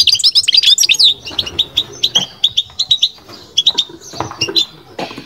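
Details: Batbata song from a kept European goldfinch: a fast, tumbling twitter at the start, then evenly spaced high chirps and short jingling phrases, fading near the close.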